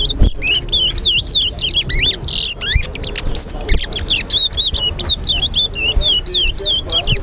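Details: Chestnut-bellied seed finch, called towa towa, whistling in a bird club competition at Linden, Guyana: rapid, continuous strings of clear looping whistles, repeated rhythmically throughout, with a brief noisy burst and faint voices beneath.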